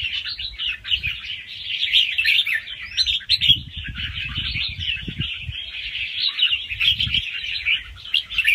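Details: Fast-paced song of a young wild red-whiskered bulbul with doubled phrases, played to excite other birds; a continuous busy twittering warble of rapid notes, with soft low thumps and rumbling in the background.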